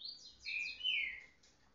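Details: A caged Green-winged Saltator, kept in a flight cage to break a jumping habit, sings on any perch a quick phrase of clear, high whistles, ending in two longer slurred notes that drop in pitch. Only faint background hiss.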